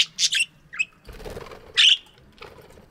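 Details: Caged budgies in a morning aviary give a few sharp, scratchy chirps and one louder squawk, with a brief soft rustle of movement between them.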